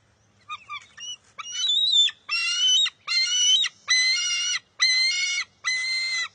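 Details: An eaglet of wild bald eagles, competing with its mother for a fish at the nest in June 2021, starts with a few thin squeaks, then swells into loud repeated harmonic screeches about a second apart.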